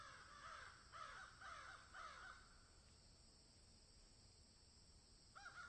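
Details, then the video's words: Crows cawing in a field: four harsh, falling caws about half a second apart, a long quiet gap, then one more caw closing the sequence over faint background hiss. "Crows Caw in Field"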